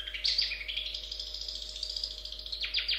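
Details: Cendet, or long-tailed shrike, giving a 'gacor' song of continuous, high, scratchy warbling with quick chirps, ending in a few sharp descending notes; a faint steady hum runs underneath.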